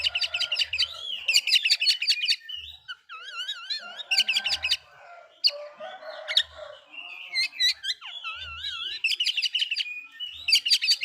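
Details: Oriental magpie-robin provoking other magpie-robins with fast repeated chirping bursts alternating with wavering, warbled whistles, continuing almost without pause, with soft low thumps.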